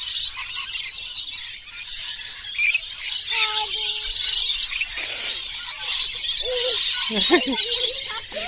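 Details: Over 100 lorikeets mass for the daily feeding at a lakeside bungalow park on Burrill Lake, South Coast of New South Wales. A child is among the birds. Constant high, piercing screeches from the flock, with people's voices talking in the middle and near the end.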